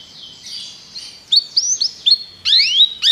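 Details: Begie canaries singing, used for song training: a quiet, hissy opening, then a series of short, bright, upward-sweeping whistled notes. The final second has longer, louder rising slurs.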